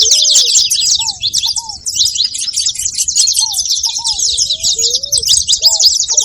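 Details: A busy chorus of saffron finch calls: rapid, high-pitched chirps crowd together without pause, while lower, gently arched notes sound every second or so beneath them.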